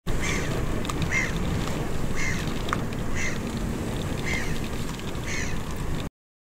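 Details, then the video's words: A hooded crow (Corvus cornix cornix) calling gives about six harsh, hoarse caws, roughly one per second, over a steady low rumble of wind or distant traffic. "Nebelkrähe rufend"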